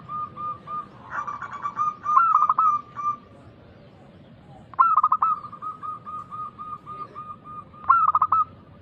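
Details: Zebra dove of local stock singing loudly and persistently, used as a lure to start other doves singing. Strong rippling coo phrases come roughly every three seconds, each followed by a train of softer evenly spaced coos.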